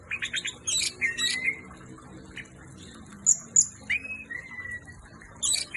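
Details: Orange-headed thrush, called anis merah in Indonesia, delivering a rapid run of high chips and downslurred whistles, a pause, then bright piercing notes and long falling whistles, ending with a sharp high flourish.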